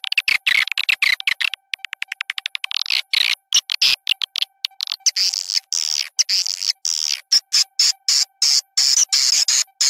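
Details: Swiftlet lure call recording, with background songbird chirping added, giving rapid, dry, buzzy chirps and clicks in bursts and stuttering runs, high and harsh, over a faint steady electronic hum.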